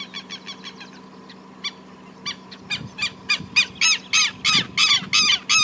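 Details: Greyish saltator feeding near Esperanza, Santa Fe, Argentina, in 2022: harsh, raspy calls in a repeated series, about three per second, sparse at first and then growing louder and steadier, over a faint low hum.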